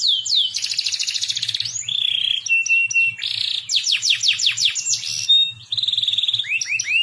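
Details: Masteran bird song naming cucak jenggot, cililin and canary: a rich, varied canary-like medley of buzzy trills, rapid downward sweeps and looping whistles, with a faint low hum underneath.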